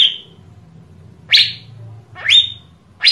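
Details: Asian fairy-bluebird recording intended to stimulate other birds into singing: a handful of loud, upward-sweeping whistles, one ending in a brief liquid flourish, separated by near-silent pauses with faint low hum.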